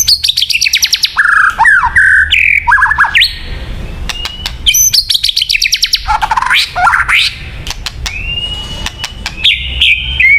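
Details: ['White-rumped shama song used for luring birds: a rich, varied stream of clear whistles, slurred rising and falling notes, quick trills and sharp clicking bursts, delivered in rapid phrases with short pauses.']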